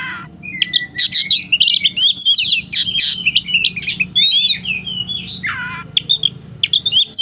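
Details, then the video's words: Afternoon song of an oriental magpie-robin looking for an opponent to fight: a continuous, energetic stream of shrill chirps, rattling trills and whistles, with one clear falling slur toward the end. "KACER SIAP TARUNG CARI LAWAN..!!!"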